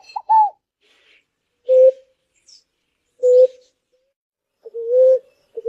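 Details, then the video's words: Ground dove singing, a bird called very common in nature: single soft, level coo notes spaced roughly every one and a half seconds, the first slightly higher and curved, the last longer, over a silent background. "Canto lindo das Rolinhas"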